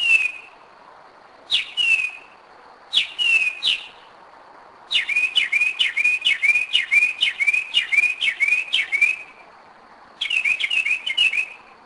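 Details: Loud Northern mockingbird song at 2am, Kennesaw, Georgia, 2011: a few paired downslurred whistles, then a long run of about ten identical slurred notes in steady rhythm, then a short repeat.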